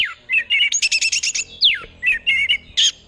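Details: Orange-headed thrush kept in Mojokerto, Indonesia, performing 'teler' song to attract a partner: a descending slur, stuttered double notes, a rapid chattering burst, then another downslurred whistle and more clipped paired notes.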